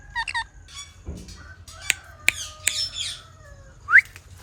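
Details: Parrot giving a scattered series of short harsh squawks and sharp chirps, with a brief upward-sweeping whistled note near the end. Quiet gaps fall between the calls.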